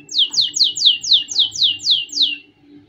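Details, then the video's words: Canary singing to train young birds: a series of nine clear, sharply falling whistled notes, evenly spaced about four per second. "Canary Singing - Most Spectacular HD Video Training For Chicks"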